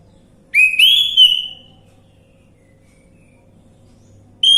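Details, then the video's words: Orange-headed thrush song played as a lure to get a bird that has stopped singing to respond: a bright whistled phrase about a second long that rises and then tapers away, silence, then the start of another whistled note. "Pancingan Anis merah macet bunyi"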